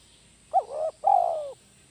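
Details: Spotted dove kept as a lure bird, giving a 'kuk 1' style call: a short hooked coo, a brief gap, then a longer drawn-out mellow coo that slowly falls at the end. The call is clear against a quiet background.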